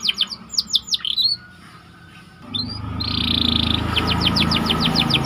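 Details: Canary song used as training bait: a few swooping whistled notes, a gap, then a buzzy burst and a fast trill of short notes over steady low background noise.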